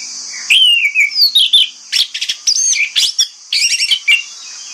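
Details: Orange-headed thrush singing in the morning to lure other thrushes into answering. Varied whistled slurs and rapid chattering notes over a steady high-pitched background hiss.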